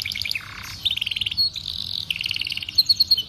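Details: Tutor recording for training young canaries: a canary sings a fast, varied song of high trills, rolling buzzy phrases and sharp repeated notes, changing pattern every half second or so.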